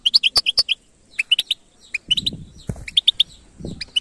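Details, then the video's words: Goldfinch batbata singing: quick high chirps and twitters in rapid clusters, with soft low rustling or handling noise in the second half. "أسمع المقنين هذه البتبته وشاهد قوة عصفورك الحقيقيه jilguero singing"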